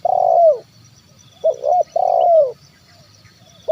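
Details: Spotted dove calling in 'kuk 1' style as a lure for wild birds: a long falling coo, a pause, then a full phrase of wavering double coo and descending long coo, with another beginning at the end.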